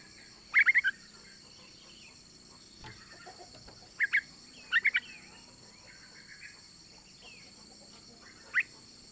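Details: Female Yellow-vented Bulbul calling for a male, used to lure males into song: scattered short bursts of three or four sharp high chirps separated by pauses of several seconds, with a faint steady background hiss.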